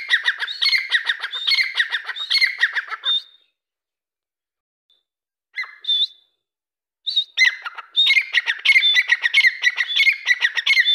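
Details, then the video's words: Grey francolin with loud bursts of fast, grating, repeated notes, a silent gap, a few isolated whistled notes, then another vigorous run of harsh rhythmic calling, close and clear against a still background. "Dakkni Teetar voice/دکنی تیترکی آواز"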